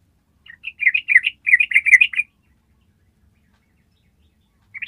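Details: Yellow-vented bulbul giving a long ropel trill, a training recording meant to prompt other birds to join in: a dense burst of rapid, slurred chattering notes lasting nearly two seconds, then silence and a final note at the end.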